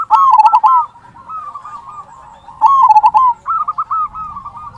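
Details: Local zebra dove in strong voice, its loud "kung" song used to rouse other doves into song: two rolling, bubbly coo phrases a few seconds apart, joined by softer trilled cooing in the gaps.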